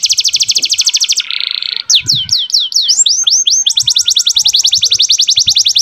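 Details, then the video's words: Tutor song from a young canary, played so that females come into breeding condition. A rapid high trill gives way to a soft buzz, then looping downslurred whistles, then a long fast trill. "MASTERAN KENARI MUDA GACOR ISIAN DAN BIKIN EMOSI - pancing kenari betina agar cepat birahi"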